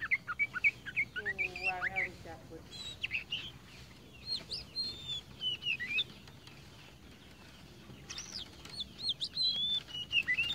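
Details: Tame Oriental magpie-robin of the kacer poci type singing actively: varied whistled phrases, quick rising and falling notes and sharp chirps, a short run of lower rattling harmonic notes near the start, with brief pauses between bursts.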